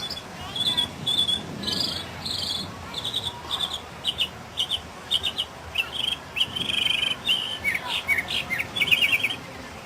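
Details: Mockingbird (sinsonte) song from 2006: varied high chips and buzzy notes repeated in quick bursts, phrase types changing every few seconds, against soft steady background noise.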